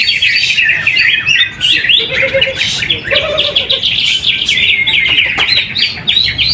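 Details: Contest-winning caged greater green leafbird at a weekly practice event in Mojokerto, East Java area, Indonesia; quick twittering runs with sharp rising whistles and brief chattered bursts, steady and loud, other birds faintly overlapping.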